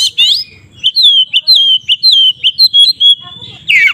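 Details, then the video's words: White-rumped shama singing a lure song that provokes other shamas to fight: a clear sequence of whistled notes, each dropping slightly, repeated in an even rhythm, framed by short harsher notes. "suara BURUNG Kacer GACOR ngeplong KONSLET Tarung ini Paling Ampuh untuk PANCINGAN KACER agar EMOSI"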